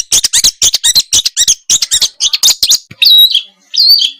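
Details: Small birds in a tutor recording meant to excite a caged white-rumped shama: a fast run of harsh, scratchy notes for about three seconds, then two long, sliding, high whistles.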